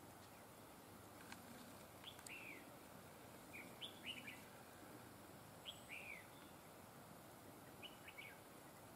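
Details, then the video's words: Trapped-bird session with a red-whiskered bulbul noted for superb linked double phrasing: fairly faint, scattered short whistled phrases of two or three slurred notes, spaced a couple of seconds apart, amid steady outdoor noise and a brief click. "Bẫy chào mào GIỌNG CỰC HAY CÓ GIỌNG KÉP NỐI"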